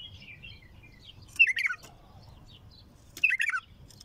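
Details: Bulbul singing a strong, raw song: two loud bursts of quick, bubbly descending whistled notes near 1.5 and 3.3 seconds, with fainter soft warbles between, over low background hum.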